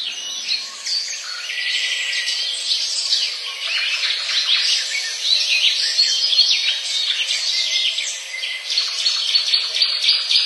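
Cactus parakeets keep up a dense, high-pitched chatter of harsh, scratchy screeches, many overlapping calls running without pause.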